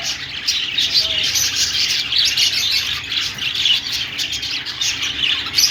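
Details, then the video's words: A flock of budgies keeps up a steady mass of high, twittering chirps that rise and fall in loudness, with no pauses. "Australian parrot singing |love birds sounds |parakeet chirping sounds |budgies"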